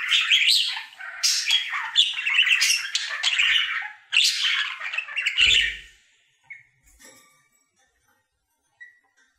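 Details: Pet budgerigar, a male, singing his happy daily routine indoors: rapid chattering warble of squawks, clicks and chirps for about six seconds, then near silence with a few faint chirps and a brief low thump.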